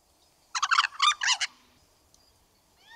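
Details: Caribbean White-necked crow gives its guttural "culik-calow-calow" call: one rapid, bubbling, gobble-like burst of harsh chattering notes lasting about a second; faint thin whistles from another bird follow.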